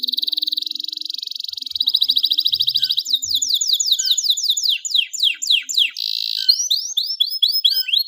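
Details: Canary song used as a lure to get silent or stressed canaries singing: high, rapid trills at a fast buzzing pulse, shifting into a run of sharply falling whistled notes, then upward-sweeping repeated syllables.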